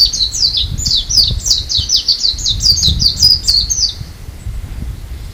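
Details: Japanese white-eye calling in February on Amami, Japan: a rapid run of thin, high, downslurred chirps, roughly four per second, lasting about four seconds before fading, over a low rumbling background.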